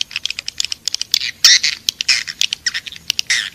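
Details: Swiftlet lure call in the style known as Raja Liur Emas, played to attract swiftlets into a nesting house: rapid dry clicks mixed with short buzzy high chirps in quick, uneven bursts.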